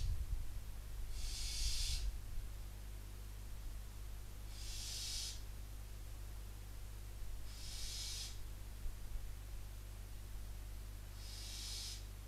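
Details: Barn owl chicks begging at night from a nest in Cabañeros National Park, Spain, heard from a distance: four rough hissing screeches, each roughly a second long, spaced about three seconds apart over a low steady hum.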